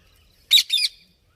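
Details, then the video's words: Parrot letting out a short double squawk, two harsh high bursts in quick succession, in otherwise quiet surroundings. "Parrot Making Noises"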